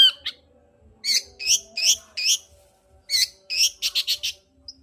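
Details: Long-tailed shrike in vigorous song, played as a lure to rouse a quiet shrike's breeding drive and singing: loud, rasping, upslurred notes delivered in quick pairs, ending in a rapid rattling run, with a faint steady hum beneath.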